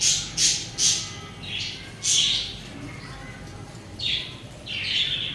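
Budgerigars give bright, scratchy chirps and squawks in quick bursts, some high and hissing, others lower and buzzy.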